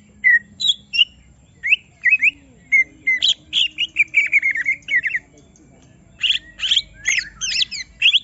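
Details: Agitated caged greater green leafbird singing its full repertoire after being provoked: sharp whistled slurs, then a fast run of descending chattering notes, and later a burst of squeaky mimicking phrases.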